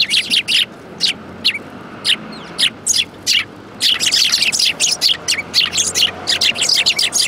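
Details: At a Tenmangu shrine on 22 January 2018, sparrows gathering at food give rapid sharp chirps, spaced at first, then crowding into a fast continuous chatter through the second half.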